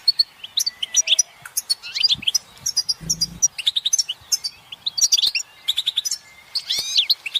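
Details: European goldfinch group calls and twitters used as motivation to end a male's silence; busy, liquid chirping and short warbled phrases from several birds, with a sweeping upward trill near the end and a brief low buzz at three seconds.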